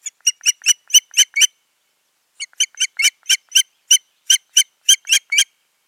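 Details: Osprey pair at the nest in Finland, 14 June 2019, following a failed nesting; loud series of shrill whistled chirps, about seven in quick succession, a pause, then about ten more.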